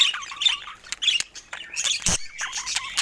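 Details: Pet budgerigars playing with toys in the morning make squeaky, wavering chatter and short chirps, with a loud rattling clatter about two seconds in.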